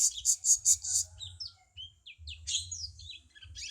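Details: A cucak cungkok bulbul's song, used to tutor caged songbirds, opens with five loud, evenly spaced high pulsed notes and follows with a jumble of short whistles and scratchy chirps, over a low background hum.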